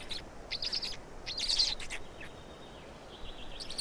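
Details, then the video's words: Black storks in Estonia during a feeding on 16 May 2019 at 16:58; short hoarse, wheezy bursts come in quick clusters, then a quieter pause before more rasping notes. "Estonian Black Storks - Feeding for two"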